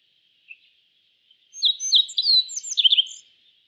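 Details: Yellow bunting, a small East Asian bunting, sings a burst of short, high chirps and sliding twittered notes for about two seconds. A steady, thin high tone runs underneath throughout.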